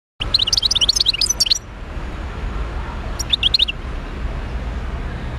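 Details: Wild European goldfinch from Médéa singing a rapid burst of tinkling, twittering notes for about a second and a half, then a shorter burst after a pause, over a low background rumble.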